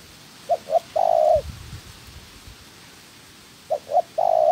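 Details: Spotted dove used as a decoy bird being trained for trapping, giving its cooing call: two short soft notes followed by one longer, steady coo, with the whole phrase heard twice over a quiet background.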